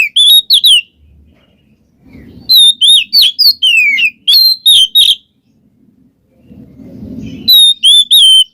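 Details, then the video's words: Oriental magpie-robin singing 'ngeplong ngekek', used to encourage a silent bird to sing. Three bursts of fast, high, twisting whistles and chirps, separated by pauses with low rumbling noise. "suara burung Kacer NGEPLONG ngekek cocok buat pancingan Kacer males bunyi"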